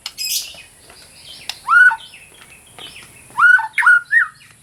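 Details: White-rumped shama singing, offered as a training recording and as therapy for birds that have stopped singing: separate rich, arched whistles with brief high squeaks between them.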